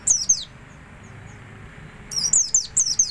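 Oriental white-eye giving high, thin twittering phrases of quick descending chirps, two bursts separated by a pause, over faint background hiss.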